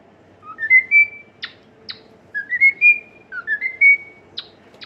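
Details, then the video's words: Cockatiel singing: a clear whistled phrase climbs in steps to a high held note, given twice, with sharp chirps after each phrase. "COCKATIEL SINGING!"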